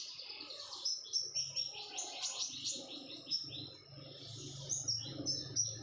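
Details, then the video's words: Red-whiskered bulbul, a female in breeding condition, giving rapid high chirps mixed with thin clear whistled notes, arriving in quick irregular runs with brief pauses, over a faint low hum. "burung konin betina birahi gacor"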